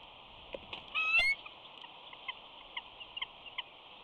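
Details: Bald eagle pair at Big Bear exchanging calls as the female flies by the nest in the afternoon: one loud, high, squealing piping note, then a scattered series of short, thin chips over a steady hiss.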